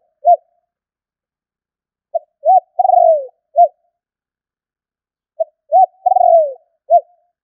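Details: Spotted dove call used to lure birds: clean cooing phrases of a short note, rising coo, long quavering falling coo and closing short note, repeated twice about every 3.5 seconds, no other sounds.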